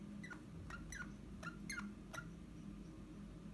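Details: Pet Eastern rosella indoors, recorded 29 January 2021, giving a soft run of about six short clear whistled notes spaced roughly half a second apart over a low room hum.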